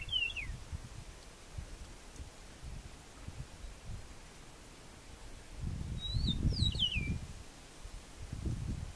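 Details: In Barinas, Venezuela, an Eastern Meadowlark (Sturnella magna) gives two phrases of clear, slurred whistles that glide downward, about six seconds apart, over low wind rumble.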